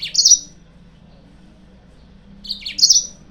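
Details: Yellow-fronted canary used as a lure for rival birds: two short high chirpy bursts, each a quick sweet slurred twitter, separated by about two seconds of near silence with faint low hum.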